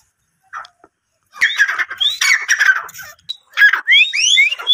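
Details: Grey francolin (teetar) calling: a short note, a pause, then harsh, squawking, closely packed bursts followed by several sharp upward-slurred whistled notes toward the end, with no other clear sounds.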